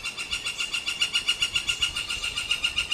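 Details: Northern flicker from a pair of woodpeckers: a steady train of repeated squawky notes at around six per second. The notes are fainter here, against a rougher, noisier background.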